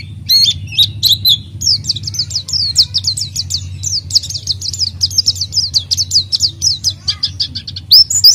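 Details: Oriental white-eye singing hard as a lure for untrained white-eyes: a few slurred opening notes, then a long, even series of quick high chirps over a steady low electrical hum.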